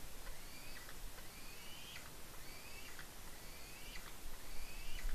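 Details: Young white-tailed eagle at a nest on Smola, Norway, squeeing with excitement while eating a fish brought by its mother, 12 July 2018; thin rising-then-falling squeals repeated about every second over steady wind-like background noise.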